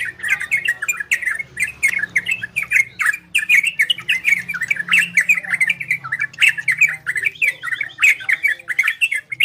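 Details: Long stretch of orange-spotted bulbul Ropel and Garudo song, played to stimulate breeding condition in listening birds: unbroken, energetic chatter of harsh-edged whistles and squeaky notes tumbling rapidly, with a low hum underneath.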